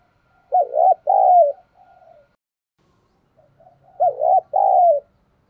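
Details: Lure spotted dove (giọng thổ voice) cooing to provoke rivals: two low two-part phrases roughly three seconds apart, a quick wavering note then a longer falling coo, with soft faint murmurs trailing after the first.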